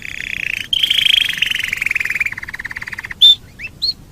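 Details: Master-style canary song meant for tutoring other birds: an extended buzzy roll that slowly drops and breaks into distinct pulses, followed by a few short bright chirps.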